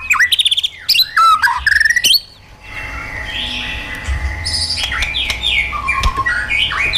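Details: White-rumped shama, caged, singing wild-style song for training: a burst of rapid loud chirping whistles, a brief pause, then softer warbled and buzzy phrases continuing quietly.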